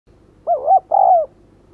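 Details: Decoy spotted dove calling to draw in wild doves: two mellow coos, a short rising-falling note followed by a longer steady one, over quiet background hum.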